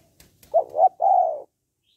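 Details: One spotted dove phrase in the "hạp bổi" voice style, meant to push males into calling quickly: two quick low notes followed by a drawn-out, slightly falling coo, clean and close.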